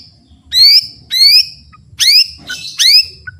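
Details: Song of a white-rumped shama, meant as training material for other songbirds: four loud, rising, whistled sweeps spaced about half a second apart, with soft short notes between them and a faint low hum behind.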